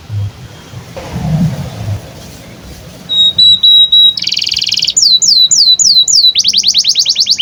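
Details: Canary song meant to train young canaries: after a quiet start, steady whistled notes lead into a dense buzzing trill, then repeated sweeping downslurred whistles and a quick run of falling notes.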